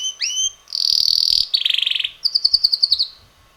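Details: Six-month-old red male canary singing; rising whistled notes lead into a dense high buzzy roll, a coarser rattling trill, then a clear series of quick repeated high notes.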